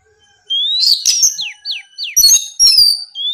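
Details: Morning song of an Oriental magpie-robin, played to provoke rivals: a long rising whistle, then a run of four quick downslurred notes, followed by higher sweeping whistles.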